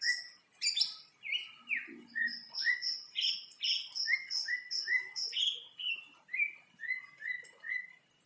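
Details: A greater green leafbird, in breeding condition after a rain bath, pours out a fast series of loud down-slurred whistles, about two per second, over rhythmic high-pitched chips, with a brief low rustle.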